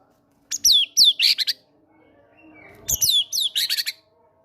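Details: White-rumped shama, a caged fighter, singing lure song with gelatik batu material: two loud phrases of high downslurred whistles and rattling buzzy notes, with a faint soft note and a thump in the pause between them.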